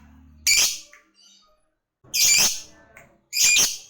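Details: Lovebird said to be calling a rival: three separate harsh, shrill, high bursts, each under half a second, spaced more than a second apart, with near silence between them.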